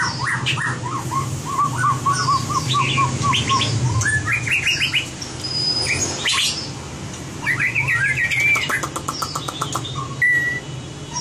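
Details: White-rumped shama singing in competition style, a training recording: a quick series of short mid-pitched notes, then chattering bursts, a sharp high sweep, and a run of stacked rapid notes before a final whistle, low hum behind.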